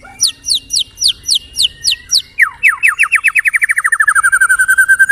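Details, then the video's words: White-rumped shama singing actively. A series of sharp, evenly spaced descending notes runs into a fast, rolling trill that gradually drops in pitch. The background is quiet. "burung murai batu asli gacor"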